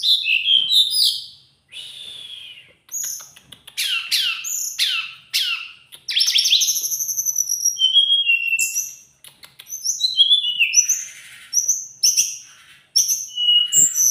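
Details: Teledekan gunung in energetic song: varied, very high phrases mixing sharp downward-sweeping notes, clicks and drawn-out whistles, delivered in rapid bursts with brief pauses throughout.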